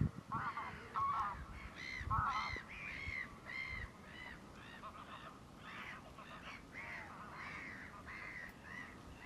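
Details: Courting common mergansers, a group of mostly males following a few females on Fyris Creek, early spring, April 2 2022; a busy run of rounded nasal calls, some quavering, about one a second, fading slightly toward the end.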